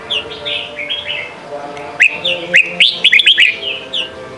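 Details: Red-whiskered bulbul song in the Sông Kon style, played to train young birds: gentle fluting whistles, then a rapid run of sharp rising notes about four per second, with softer bird phrases behind.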